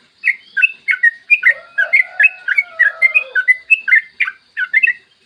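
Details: Rapid, chattering song of a yellow-vented bulbul, used as a lure to get other bulbuls singing. Dense runs of bubbly whistled notes flow almost without a break, over a softer, lower warbling underneath.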